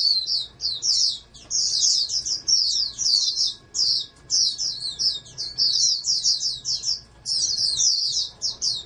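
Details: Oriental white-eye, a caged bird bred as a hopeful national contest champion, delivers a rapid, high-pitched warbling song of tumbling chirps in near-continuous phrases broken by short pauses; low electrical hum present.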